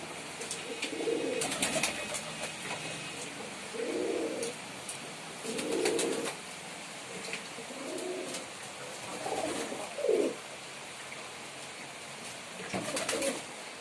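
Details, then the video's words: Male pigeon performing indoors, repeated low throaty coos every two seconds or so across the stretch, soft rolling phrases, with occasional bursts of clicking or scratching. "Pigeon Sound Effect || Male Pigeon Super Performance || Pigeon Sound"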